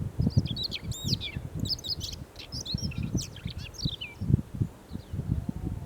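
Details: Siberian rubythroat song from July 2020: a rich, fast stream of high whistled notes, sharp upslurs and buzzy trills in several bursts, with constant deep rumbling background noise.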